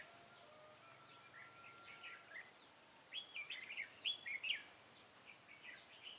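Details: Red-whiskered bulbul decoy bird from Cao Phong singing at a trap set for wild bulbuls, 23 August 2018: faint scattered chirps, then a louder run of whistled, slurred notes midway, with soft chirping after.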